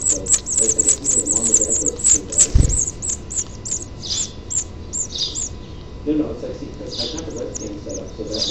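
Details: House finch nestlings, well grown, being fed at the nest on 6/6/07: bursts of thin, high, rapid chirping that rise and fall in waves, with a person talking indoors in the background.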